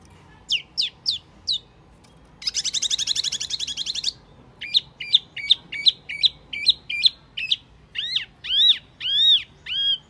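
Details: Wambi lure call: high downslurred whistles, a burst of harsh buzzing chatter, then rapid hooked whistled notes and longer arched whistles in a lively series.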